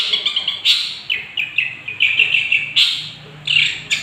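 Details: Singing of a young long-tailed shrike played to provoke other birds: quick chattering, trilled phrases broken by sharp loud bursts, with short pauses between runs.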